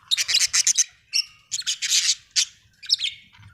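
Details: Budgie giving a rapid series of bright, scratchy chirps in quick clusters, almost continuous chatter with a few higher squeaky notes, steady faint low hum behind.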